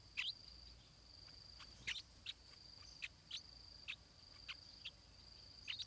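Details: Begging chick of a stripe-throated bulbul in its nest, parents feeding it: scattered short, high chirps, a few doubled, spaced irregularly over a persistent shrill buzz of insects.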